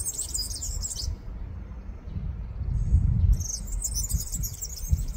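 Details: Black redstart in Ljubljana's Žale cemetery, Slovenia, on 23 July 2024, giving high, scratchy, jangling phrases at the start and again after a short pause, over a steady low rumble of traffic or wind.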